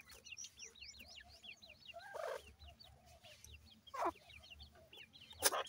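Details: Several francolin chicks call in rapid, thin, high peeps that rise sharply, forming a dense twittering chorus, with a louder squawk near the middle and sharp clicks toward the end.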